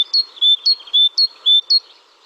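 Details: Great Tit song in forest habitat, Spain, medium-pitched at about 4000 Hz: a bright, metallic two-note phrase, a high note then a lower one, alternating about four times in two seconds.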